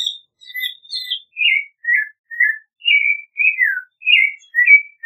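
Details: Rhythmic whistled phrases of a clay-colored thrush, slurred and falling, opening with a higher jumble of notes, then settling into evenly spaced caroling.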